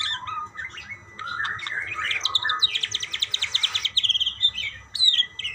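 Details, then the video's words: Budgerigars calling to each other in a varied warble of rising chirps, with a fast buzzy rattle of repeated notes near the middle, then clear whistled chirps. "burung parkit bersautan"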